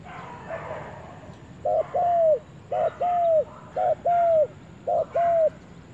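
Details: Spotted dove going to the forest for the first time, repeating a short note followed by a longer falling coo four times, about once a second, over faint murmuring background.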